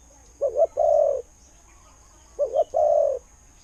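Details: Spotted dove, a decoy bird with a good voice from Thailand, giving two soft coo phrases, each a quick double hoot followed by a longer steady coo.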